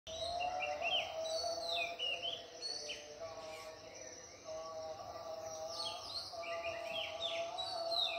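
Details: Birds singing at dawn at Ella Rock: a chorus of overlapping whistled and slurred notes, several falling and rising phrases, over a steady low hum and faint insect-like buzz.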